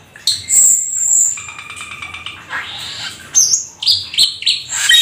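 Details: Rare Black-winged starling singing 'gacor full isian', its song stuffed with mimicry: long high whistles, a buzzy rattled phrase, then a string of sharp varied whistles and squeaks.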